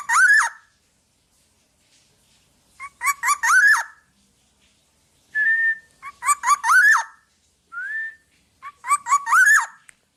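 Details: Lively black-naped oriole song used as training material for other birds: four bursts of quick clear whistled notes, each climbing into a rising-falling slur, separated by short level whistles, all in a quiet setting.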